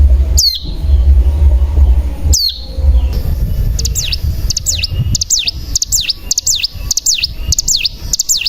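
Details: Bar-winged prinia (cigun) call used as a decoy to get other birds singing. Two sharp falling whistles over a low hum come first, then a quick run of bright notes that sweep down and up, repeated in a steady series.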